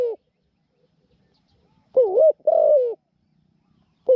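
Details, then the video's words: Spotted dove serving as a trapping decoy gives a single wavering two-part coo, the second note longer and sliding down, between brief quiet gaps. "เสียงเล็ก คูเก่ง"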